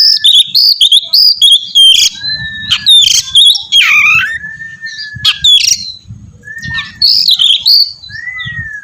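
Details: Oriental magpie-robin singing loudly in an energetic, varied phrase: sweet whistled notes mixed with sharp chirps, rapid trills and slurred downward-sweeping whistles, delivered in quick bursts with brief pauses; faint low rumbling underneath.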